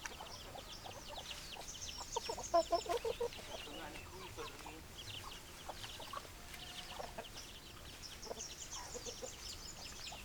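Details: Hens clucking in a flock: scattered short clucks and a few louder squawky notes over steady background noise, with many overlapping chirpy calls.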